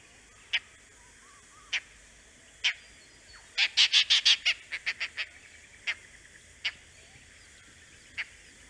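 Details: Oriental dollarbird recorded in the Andaman Islands: harsh, rasping notes given singly at intervals of about one second, then a fast chattering burst of about ten loud notes, with more spaced single notes afterwards.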